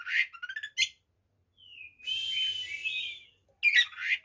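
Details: White-rumped shama song for provoking other shamas: brief chattering notes, a pause, then a long wavering whistled phrase over a rasp, followed by harsh bursts.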